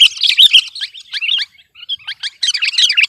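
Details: A sooty-headed bulbul singing to dominate rivals gives a rapid, jumbled warble of chattering, liquid notes, which breaks off briefly and then resumes even busier.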